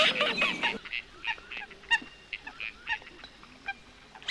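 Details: A loud burst of overlapping noise opens, then a coot repeats short, sharp, nasal notes about twice a second at an uneven pace over a quiet background.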